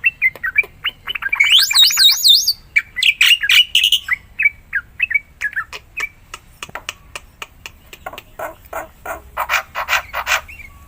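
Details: Black-winged myna in lively song, meant to coax quiet mynas into singing; varied whistles and harsh squawks, a warbled rising-falling phrase, then rapid dry chattering notes repeated several times a second.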